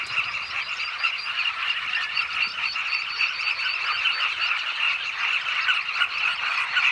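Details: Southern carmine bee-eaters back at their nesting holes burrowed into a bank of the Zambezi River, Zambia: a dense, unbroken chorus of many overlapping chirping calls, steady and loud throughout.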